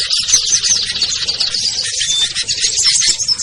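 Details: A dense chorus of high, twittering chirps from a lure mix of small birds (ciblek, kutilang, trucuk, sogon, perenjak) used to bring hard-to-lure birds down, with a brief thin whistle near the middle.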